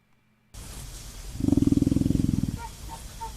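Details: Female emu drumming or booming, played back from an online recording: a rapid train of low, pulsing, growl-like throbs lasting about one second, preceded by quiet background hiss.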